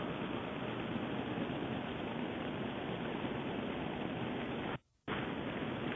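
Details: Steady broadband rushing noise like wind or running water fills the recording, with a brief drop to near silence just before the five-second mark and no animal calls.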